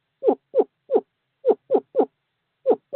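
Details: Screech owl male at nest box 5, courting season, calling his mate in: eight short, hollow, descending notes in uneven pairs and triplets over three seconds.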